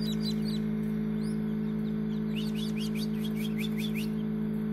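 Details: Freshly hatched partridge chicks, homemade incubator, 6 June 2019: a few scattered high peeps early, then a dense burst of rapid rising cheeps in the second half, backed throughout by a loud steady low hum.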